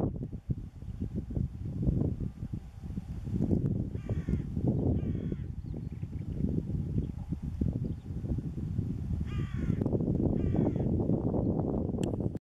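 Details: Hooded crow recorded in Cyprus, uttering pairs of harsh, grating caws at two separated moments, partly masked by strong, continuous low-pitched rumbling noise.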